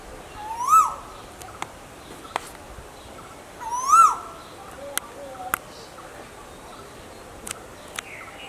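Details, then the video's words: Asian koel calling twice about three seconds apart. Each call is a rising, ringing whistle that levels off and fades. Light background hiss and scattered clicks surround the calls. "Asian Female Koel VS Male Koel, Sounds Of Koel"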